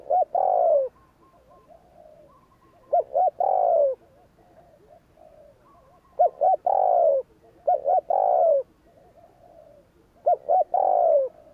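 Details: Spotted dove cooing in the 'gù kích' provoking style: repeated phrases of paired short notes leading into a long downward-sliding coo, about five phrases separated by brief quiet gaps.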